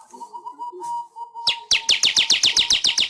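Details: A weaver sings on a master recording for training pet weavers: soft, steady whistled notes at first, then a fast, regular run of sharp chirps, roughly seven per second.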